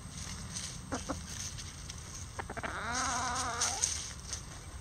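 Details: Rooster in a mixed bantam flock of Lavender Old English game, Mille Fleur d'Uccle and Silver Duckwing chickens, trying a hanging cabbage for the first time, gives a single harmonic crow of about one second that rises then holds steady, after soft clicks, over low rumbling background.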